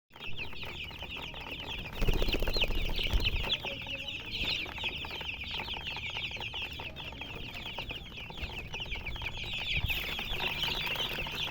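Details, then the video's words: Colored chickens in a dense chorus of high, overlapping chirps that run steadily for the whole stretch, with a brief louder burst of low thumping near the start. "silly chicken chirping sounds with murgi hen color chicken"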